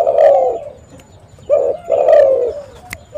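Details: Tekukur, or spotted dove, calling for use as a lure: two drawn-out, soft, mellow coos, each gliding gently downward, separated by a short quiet pause.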